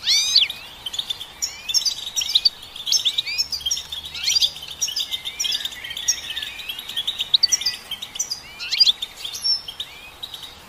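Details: Long run of goldfinch twittering: chattering chirps, buzzy slides and bright liquid notes in near-continuous, uneven bursts.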